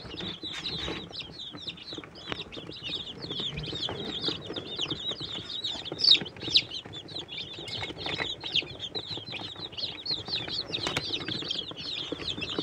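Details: Catskill Homesteader, Swedish Flower Hen and Bielefelder chicks in a brooder, happily eating and drinking; many high, thin peeps overlap continuously, with brief louder cheeps and soft low rustling underneath.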